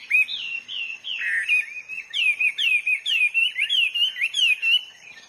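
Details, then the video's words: Wild Hwamei in full song, rich looping whistles then a fast series of rising, slurred notes repeated about four per second. "burung HWAMEY GACOR DI ALAM LIAR"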